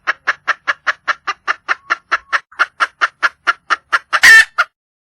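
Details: Wild red junglefowl hen calling for a male mate: a steady run of about twenty short, hoarse clucks, roughly five per second, ending in one louder harsh squawk and a last cluck.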